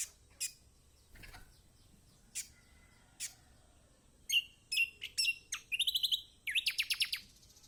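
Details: Kecial kombok song for coaxing quiet birds into song: scattered high chip notes building into fast twittering phrases and rapid trilled bursts toward the end, with a constant high background hiss.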